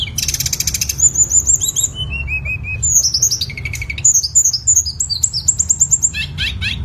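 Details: Tledekan singing, a recording meant for tutoring songbirds: a rapid buzzy rattle opens, followed by strings of bright high whistles, falling slurred notes and quick chirps, with constant low background hum.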